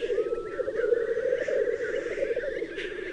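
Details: Male black grouse at a spring morning gathering on moorland, where they fight each other to win the right to mate. A continuous low bubbling, cooing chorus that never pauses, with a faint higher whistle briefly audible early on.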